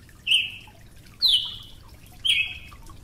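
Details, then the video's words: Brazilian tanager giving three spaced, ringing chips, the second sliding downward, roughly once a second, in a quiet setting. "Tiê-sangue (Ramphocelus bresilius) || Brazilian Tanager"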